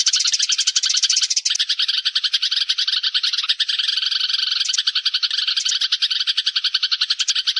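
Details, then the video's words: Sparrows calling the flock together, a lure sound for trapping: a thick wall of fast, overlapping twittering chirps that runs without pause for the whole stretch. "tiếng chim sẻ gọi bầy"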